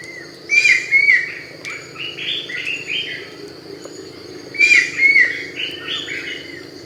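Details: Brown-winged Kingfisher, a protected bird confined to fairly intact mangrove forest along Thailand's Andaman coast: two loud bursts about four seconds apart, each a ringing whistled pair followed by a harsh, stepped run of notes, with a steady high hum behind.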